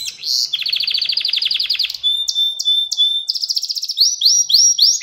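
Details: Pet canary singing lesson song for young canaries: a dense buzzy trill of rapid notes, a level whistle with spaced chips, then repeated upswept phrases each about half a second long.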